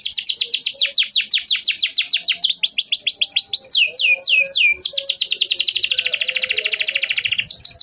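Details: Singing canary whose long song serves to stimulate young canaries learning and stalled singers; quick chirps give way to a few slow downslurred notes, then a dense, very rapid buzzing trill held for several seconds.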